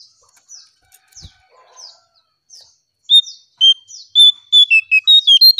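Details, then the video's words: Striped tit-babbler song used as a lure recording: soft high falling notes at first, then a loud run of clear, evenly pitched whistled notes repeated rapidly, speeding up toward the end. "𝙋𝙖𝙣𝙘𝙞𝙣𝙜𝙖𝙣 𝙟𝙤𝙣𝙜𝙠𝙖𝙣𝙜𝙖𝙣 𝙥𝙖𝙡𝙞𝙣𝙜 𝙙𝙞𝙘𝙖𝙧𝙞"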